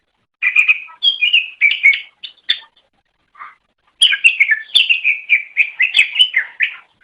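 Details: Master training recording of a greater green leafbird (cucak ijo) song: short bursts of varied chirps and whistles, a few isolated notes, then a long, energetic, continuous stream of rapid, bright warbling with sharp high clicks.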